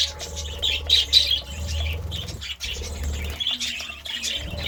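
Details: Budgerigar chirping in the morning, loose bursts of squeaky chatter and short whistled chirps separated by brief gaps, with a low hum and a faint steady tone.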